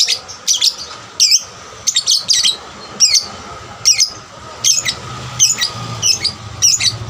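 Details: Young lovebird singing as a lure for other lovebirds; sharp high chirps in pairs and short bursts, spaced about half a second to a second apart, in a quiet background.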